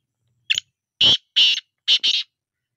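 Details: Black francolin calling one rasping phrase: a brief sharp note followed by four loud, harsh, buzzy notes in a quick chik-cheek-cheek-chik-chik rhythm, the final pair nearly joined, with no other sounds.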